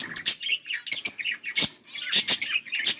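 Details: A pair of budgerigars, Australian parrots, trading sharp high chirps and short squeaky notes in quick bursts, with brief pauses between loud calls.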